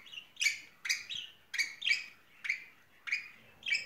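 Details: Spring-smitten pair of budgerigars calling: short, bright chirps, each with a sharp high attack, repeated roughly every half second in a lively series.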